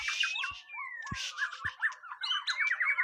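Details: White-rumped shama on its first mental test, opening with a long descending whistle, then a fast series of repeated slurred notes and thin rising whistles, with several sharp low clicks.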